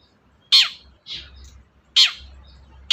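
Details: Long-tailed shrike sound meant to coax a silent shrike into song: loud, raspy downward-sweeping notes alternating with softer buzzy notes, spaced about a second apart over a low hum.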